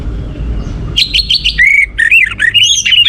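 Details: Orange-headed thrush singing to prompt other birds: after a second of quiet, a lively string of varied whistles, buzzy notes and sliding phrases fills the remaining two seconds.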